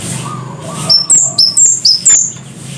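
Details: Scarlet-headed flowerpecker, also called cabean Jawa, sounding six strident, thin, very high notes in quick succession, alternating slightly between two pitches, with a soft lower whistle heard beforehand.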